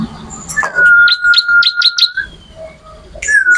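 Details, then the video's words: Bar-winged prinia singing loudly: sharp, bright chirps repeated about every quarter second over a long, level whistled tone, then a pause, then the whistle starts again. A recording made for training songbirds. "MASTERAN BURUNG MATERI CIBLEK ORIGINAL GACOR"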